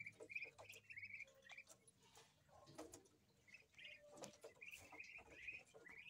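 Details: Muscovy ducklings on a farm peep in high, short notes, several birds calling over one another.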